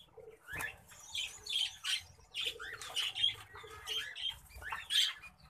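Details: An orange-breasted zebra finch gives a quick string of buzzy, nasal notes mixed with sharp high chirps.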